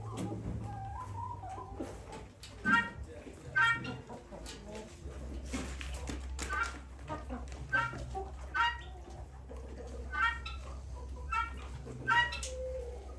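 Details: Territorial guinea fowl uttering short, sharp, clipped notes repeated every second or so, irregular, with a continuous low droning hum and some murmuring in the background.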